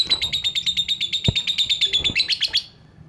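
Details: Agitated lovebird singing: a fast run of high, metallic chirps, about three per second, held steady for over two seconds before stopping abruptly. Two sharp clicks are heard in the background.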